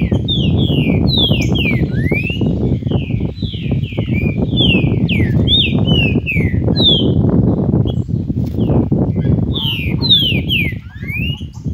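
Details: Long run of the green-winged saltator's "Cadê meu boi" song: repeated bright whistled phrases of sharply falling and rising notes, nearly continuous, over a persistent low background hum.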